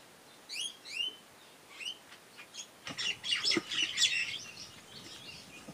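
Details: Caged Nias hill myna carrying nest material outside its cage: a few clear whistled notes sliding upward, followed by a dense burst of harsh, chattering chirps.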